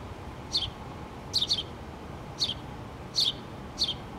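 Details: A mother house sparrow with two young in a pole nest, 8-3-2017. Six sharp, high chirps, some in quick pairs, spaced unevenly over about four seconds against constant low noise.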